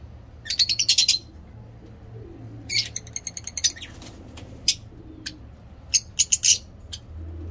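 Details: Caged breeding lovebirds of various mutations giving rapid chattering bursts of shrill high chirps, a quick trill opening, then scattered sharp notes and short stuttered runs over a steady low hum.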